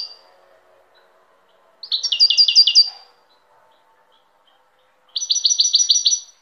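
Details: Two bright, fast trilled phrases from a European goldfinch, each about a second long and made of evenly repeated sharp notes, separated by a quiet gap with a faint low hum.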